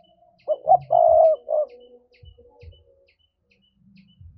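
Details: Spotted dove singing the 'thúc' coo style used as a trapping lure for doves: two quick low hoots, a long throaty drawn-out note, and a final short hoot. Soft thumps and faint high ticking sound in the background.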